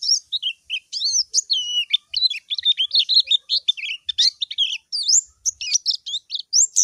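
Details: White-eye calling a rival, recorded clearly: a dense, fast run of high, thin twittering whistles with slurred up-and-down notes, tumbling on without pause and no other sounds behind.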